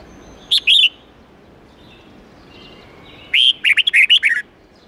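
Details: Red-whiskered bulbul singing a twisting forest-standard song of 8-9-10 notes, played for young birds to learn: a brief clipped fragment, a pause, then a full phrase opening on a clear whistle and tumbling into fast looping notes.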